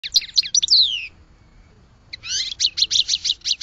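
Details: Goldfinch song in two bursts: a run of quick high twittering notes with a falling slur, a pause of about a second, then a fast stream of buzzy, tinkling chirps.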